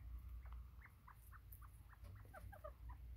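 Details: Bobwhite quail recorded on 24 September 2023, giving a run of short, soft chirping notes, roughly two or three each half second, growing busier and slightly higher toward the end, over a steady low hum.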